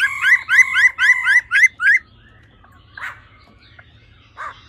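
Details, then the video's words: A female laughingthrush calls 'ro ro' to stir males up quickly: five evenly spaced, rising slurred notes in a row, followed by silence with two faint soft sounds. "Khướu mái ro ro.kích trống nhanh căng lửa"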